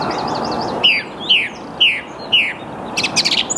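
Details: A song thrush (Turdus philomelos) sings in the early morning, 8 March 2022 at 08:10, in the Saarn-Mendener Ruhraue, Mülheim an der Ruhr, Germany. It gives one clear down-slurred note four times quickly, then a busier twittering phrase, over a soft low hum.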